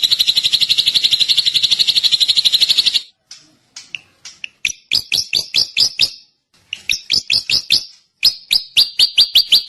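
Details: Drongo song: a harsh, buzzy rattle of fast pulses for three seconds, then a break and a series of sharp, bright chips, singly and in quick runs, some falling in pitch, with short gaps between bursts.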